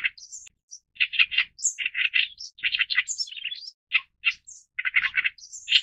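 An Oriental reed warbler sings a loud, harsh, croaking song of grating notes repeated in quick bursts, broken by thin high squeaks. No other sounds are heard.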